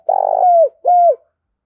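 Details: Spotted dove calling to stir decoy birds into cooing: a long rough, burry coo that smooths into a falling tone, then a second clean coo sliding downward, all within about a second.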